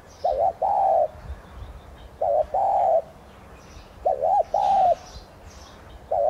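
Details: Spotted dove of subspecies tigrina, a decoy to excite other doves into calling, repeating low two-part coo phrases, a quick double hoot then a longer note, about every two seconds, with soft small-bird chirps in the background.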